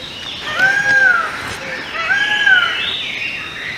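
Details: Indian peafowl, a peacock filmed up close during its courtship dance and mating ritual, giving two loud, arched, ringing calls with strong overtones, each lasting under a second. Some higher, fainter tones trail at the end.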